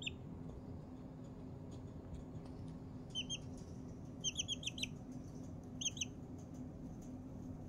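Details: Four-week-old Blue Ameraucana chick settling in for a nap and making happy noises: a few short, high peeps, single and then in quick clusters of three to four, over a steady low background hum.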